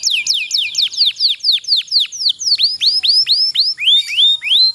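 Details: Canary (kenari pocong) singing a long roll meant to prompt lazy canaries into song, a steady series of sharply falling high whistles that turn into upward-hooking notes, about four per second.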